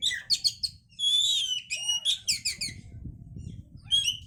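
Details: Oriental magpie-robin song used as a lure to stimulate breeding condition: bursts of sharp high chips and whistled notes in quick groups, separated by short pauses, over a faint low hum.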